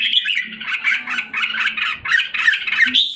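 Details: Red-whiskered bulbul in a cage in Singapore, regaining condition in July 2017, pours out a brief dense stream of rapid chirpy, slurred notes ending on a higher whistled upslur, over a faint low hum.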